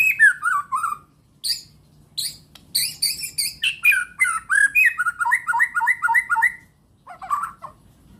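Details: Bornean white-rumped shama singing a varied song: falling whistled phrases, harsh chattering bursts, then a run of quickly repeated descending whistled notes, ending in a lower rough phrase.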